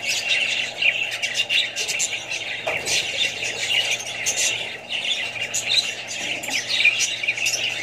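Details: Australian budgies kept together with other parrots, birds and young: a dense, unbroken din of scratchy high squawks and chirps from many birds at once, with small dips in loudness but no real pause.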